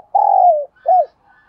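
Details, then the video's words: Cooing by a spotted dove used as a decoy: the end of a phrase, with a sustained throaty coo gliding lower, then a short arched closing note. "Chim Cu Mồi, cu gay kich boi nhanh noi gù"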